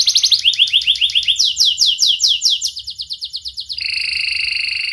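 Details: Young canary with a sharp, piercing voice, used to teach young canaries to sing: a quick run of downward-slurred notes gives way to slower, louder swoops, then a steady, fast, high buzzing trill.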